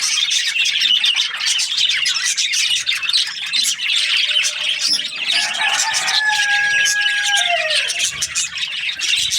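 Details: Budgies chattering in a continuous high twitter; partway through, a clear whistled note slides downward over the ongoing busy chirping.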